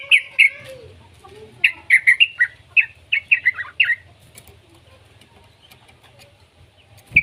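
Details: Yellow-vented bulbul youngster, used to prompt other bulbuls to sing, gives clusters of sharp staccato chirps in irregular groups over four seconds, followed by quiet and one final chip.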